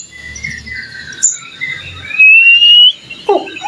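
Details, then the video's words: White-rumped shama singing to provoke rival shamas: soft drawn-out whistles, then one loud pure rising whistle held nearly a second, followed by a short burst of lower notes. "Suara murai batu gacor AMPUH buat pancingan murai batu agar emosi LANGSUNG NYAUT"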